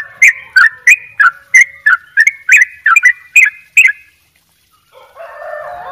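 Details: Bali sooty-headed bulbul giving 'dobel ropel' gacor song: a quick series of about eleven sharp, down-slurred whistles over four seconds. The song stops abruptly, followed by a brief pause and then a lower murmuring tone.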